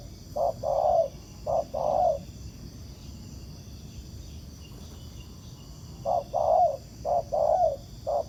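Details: Wild spotted dove in Vietnam cooing in response to a ground decoy during trapping. Two bursts of low, mellow coos: a short series at the start, a pause, then a longer run of rounded notes near the end.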